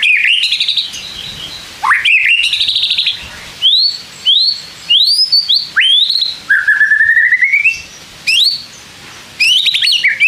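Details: White-rumped shama giving a song that provokes other shamas to reply: varied rising whistles, upswept slurs and a long level trill, in bursts across ten seconds.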